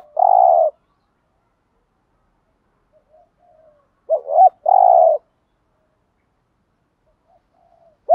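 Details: Spotted dove cooing in a formal-style lure song used to provoke wild birds into calling back: a low, mellow hooting coo, a pause, then a quick two-part rising coo followed by a longer steady coo; quiet soft notes between.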